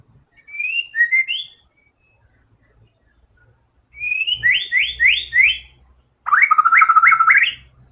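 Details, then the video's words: White-rumped shama singing loudly and displaying its learned repertoire: three phrases of looping whistled notes, the last a fast rolling trill, with soft low background thumps. "MURAI BATU GACOR‼️FULL BONGKAR SEMUA MATERI ISIAN"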